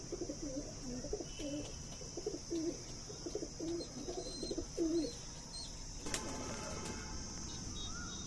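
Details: Punjabi pigeons kept for sale in Najafgarh, Delhi, giving a run of low, throaty coos in quick bursts for about five seconds, then a sharp click and quieter background hiss.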